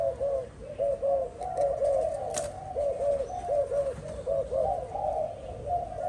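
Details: Captive spotted dove cooing in a steady run of low, rounded, arching notes, often doubled, continuing for several seconds; a brief sharp knock sounds midway.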